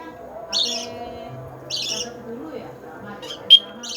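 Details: Pet lovebird during a training session, giving two short, harsh, buzzy chirps about a second apart, then a few softer chirps and one brief sharp whistle-like note, over a low steady indoor hum.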